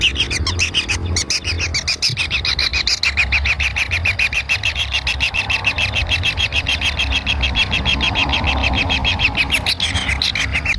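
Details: Kingfisher chicks at the nest beg noisily while waiting to be fed by a parent. They give a fast, even train of scratchy pulses, roughly three to four per second, over about eleven seconds, with some low background rumble.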